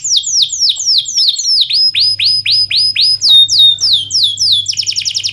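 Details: Canary singing to train lazy canaries: rhythmic series of loud falling whistles, a few per second, ending in a quicker trill, over a faint low hum.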